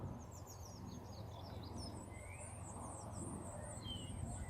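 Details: Great tits nesting in a nest box on an allotment: thin, high cheeps and short twittering notes repeated rapidly over a steady low rumble of background noise.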